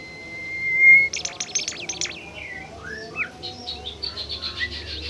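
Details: Bimoli bird, a shy rarity, singing against a lure recording: a level whistle breaks into loud buzzy rattling chatter, followed by swooping slurred notes and a long run of fast scratchy twitters.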